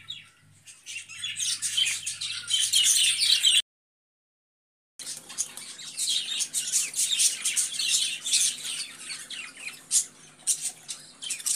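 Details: Budgerigars give high, rapid chirping that builds to a dense chatter, breaks off in a short silence, then resumes as crackly twitters and clicks.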